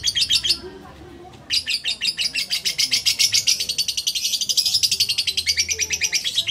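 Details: Lovebird held in someone's arms, a short burst of chatter, a brief gap, then a sustained rapid series of sharp, high, buzzy notes.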